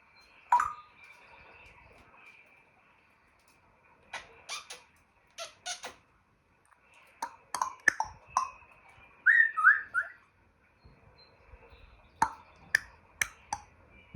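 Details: A male African grey kept as a pet gives mimicked clicks and pops, sparse at first then quicker, with a brief burst of chirpy squeaks midway.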